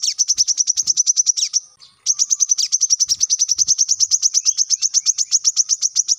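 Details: Brown-throated sunbird, the coconut sunbird, giving a dense rapid-fire 'tembakan rapat' song used as tutor audio for captive birds: long runs of high, sharp chirps about two per second, broken by one brief pause.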